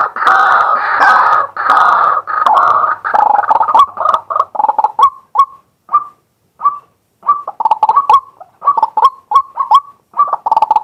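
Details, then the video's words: Recorded live from a fixed camera, a male white-breasted waterhen calls by day: an opening stretch of loud, dense, harsh notes, then separate short croaks repeating at a steady, quick pace with small gaps. "เสียงนกกวัก ตัวผู้ ต่อกลางวัน"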